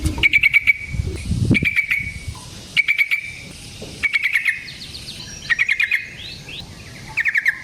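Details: Yellow-vented bulbul long fighting song used as a lure: brief rapid chattering bursts repeated about every 1.3 seconds, with softer distant bird notes between them.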